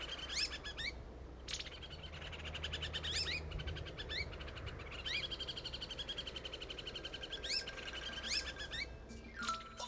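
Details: A White-whiskered Laughingthrush (Taiwan endemic) in misty mid-to-high mountain forest gives urgent alarm calls at an intruder during the nesting period: bursts of sharp, high, upslurred notes every second or so, over faint low music.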